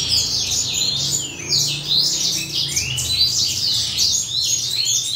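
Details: Morning chorus of adult male Western Citrils basking in the sun shortly before breeding. Busy, high-pitched warbling phrases tumble over one another without pause, above a soft low droning hum.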